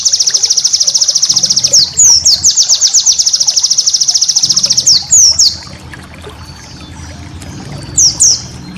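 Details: Pleci (white-eye) master song for training cage birds: a long, very fast, high trill of evenly repeated notes lasting about two seconds, a second trill, a few sharp chirps, then near silence before one last short phrase.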